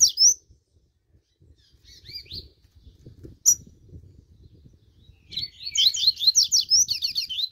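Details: Double-collared seedeater warming up: scattered single high whistled notes, then a rapid two-second run of sweeping high notes near the end.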